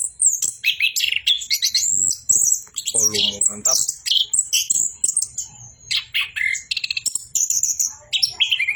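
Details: Orange-headed thrush delivering continuous 'bocor' song of high whistles, buzzy rattles and chattering twitters. A faint low voice is heard briefly in the middle.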